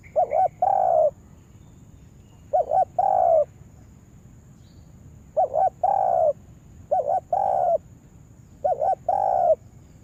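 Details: Lure spotted dove for trapping repeats a cooing phrase five times, roughly every two seconds: a fast warbling double note then a longer mellow coo, low and clear over faint hum.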